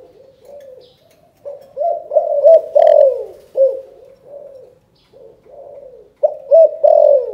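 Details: Spotted dove from Can Tho, Vietnam, giving the 'chụp chụp ô' calling coo. Soft introductory coos build into loud, repeated hooting phrases, then drop to quiet notes before a final strong phrase.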